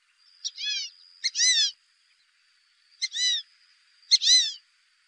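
A Fulvous Whistling Duck gives four high, squeaky two-part whistles, a short pip then a longer wavering note, roughly every second or so, over a faint steady high hum.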